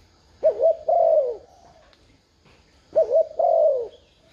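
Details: Spotted dove decoy calling for wild doves: two clear phrases, each a quick wavering double note then a long smooth falling coo, spaced about two and a half seconds apart.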